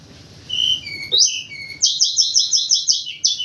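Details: White-crowned forktail calling vigorously in the morning as a lure sound: thin high whistles rising and falling, then a fast run of about ten shrill buzzy notes, ending with a final whistle.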